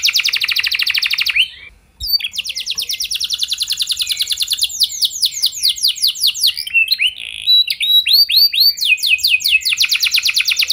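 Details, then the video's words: Canary in full song, played to make other canaries sing along: a rapid high trill, a short pause, then long rolling trills shifting into swooping repeated notes, with faint low background hum. "Kenari Gacor Lagu Mewah! Buat Kenari Mana Saja Bakalan Langsung Ikut Gacor Panjang"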